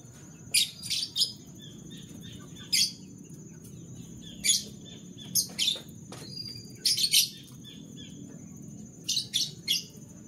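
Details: Canary singing in the morning: scattered bursts of sharp, high chirps and short trills, paired or in small clusters every one to two seconds, over a faint steady whine and low room hum.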